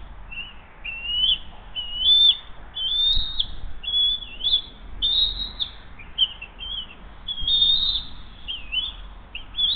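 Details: Morning at the Hays bald eagle nest, 20 June 2023, as the adult female feeds her eaglet a second fish; a chattering string of short high whistled chirps, irregularly spaced about once a second, with faint low knocks.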